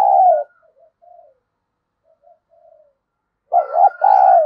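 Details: Decoy spotted dove used to provoke rivals, cooing. Low two-part coos open and close the stretch, a wavering note then a longer steady one, with soft faint coos between and a thin steady whistled tone behind.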